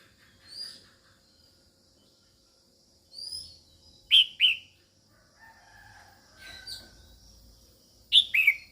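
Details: Female red-whiskered bulbul calling to stimulate males, loud paired down-slurred notes repeated roughly every four seconds, with softer high whistles and faint rumbling background in between.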